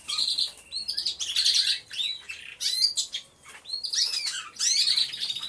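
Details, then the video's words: Several canaries singing together in an aviary, recorded by a hidden camera: bursts of high, rapid chirps and sweeping whistled notes separated by short quiet gaps. "CANTO DE CANARIOS | AVIARY SOUNDS (SONIDO REAL DE UN AVIARIO DE CANARIOS)"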